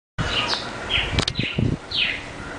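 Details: Northern cardinal (Cardinalis cardinalis) singing clear downslurred whistles, about four notes spaced roughly half a second apart, over low rumbling handling noise and a few clicks.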